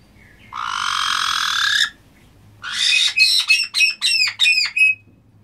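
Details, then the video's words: Black-headed caiques calling: a long, loud harsh rasping squawk lasting over a second, a pause, then a series of about six shrill, buzzy downward-bending notes repeated quickly. A low hum runs faintly underneath. "Black headed caiques"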